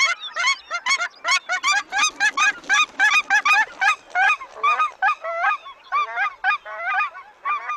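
Cackling Geese give rapid, high-pitched yelping honks, several birds overlapping at about three calls a second, thinning out toward the end.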